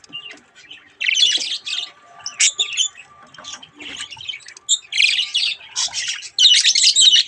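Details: Young budgies at a mirror giving loud, harsh, rasping squawks in repeated bursts, a brief high chirp mid-way, and a final run of squawks at the end.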